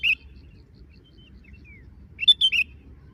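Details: While drinking, a sooty-headed bulbul utters a brief chirp at the start, then a faint thin whistle, followed by a crisp three-note chirped phrase.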